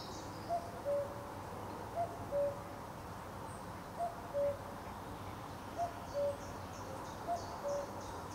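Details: A common cuckoo calls at Potteric Carr Nature Reserve on 2 June, giving its two-note cu-coo, the second note lower and longer, five times at about one-and-a-half-second intervals over a steady background hiss.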